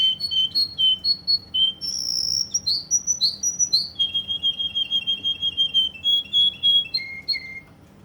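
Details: Russian canary, Kuwait, singing close indoors: alternating whistled notes, a long high sustained tone, bouncing phrases, then a steady run of rapid repeated notes ending in lower descending whistles.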